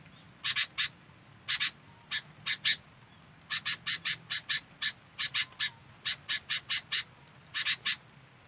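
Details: Local sooty-headed bulbul, fully active, gives dry scratchy bursts in pairs and triplets that repeat steadily through the stretch, over a faint low background hum.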